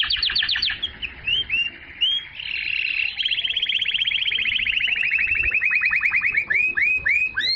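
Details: A canary sings to stimulate females to mate and to teach young birds, with fast downward trills, soft rising chirps, a long rolling trill, and repeated arched whistles at the end.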